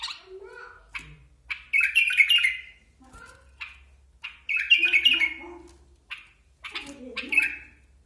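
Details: Basra bulbul repeating loud, rich warbled phrases roughly every two to three seconds, with softer clicks and short notes between them.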